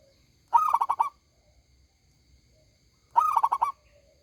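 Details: Loud, big-voiced local zebra dove song: two rolling coo phrases, each a fast burst of five throbbing notes, separated by roughly two and a half seconds of quiet.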